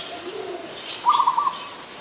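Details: Zebra dove in Ubon Ratchathani, Thailand, dated 24 December 2020, an adult bird uttering one quick run of four or five staccato cooing notes, with faint low coos and chirping behind.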